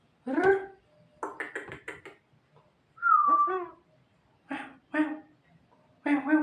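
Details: Tame Javan myna mimicking indoors: a short rasping burst, then a rapid run of stacked harsh notes, a clear slurred whistle dropping in pitch, and three more loud nasal, voice-like syllables spaced about a second apart.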